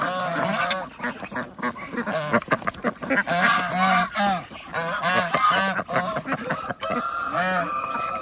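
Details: Feeding-time flock on an organic duck farm in Andhra Pradesh: rapid, irregular nasal quacks and honks, roughly three per second, many ducks calling together, with thumps and rustling from the feed.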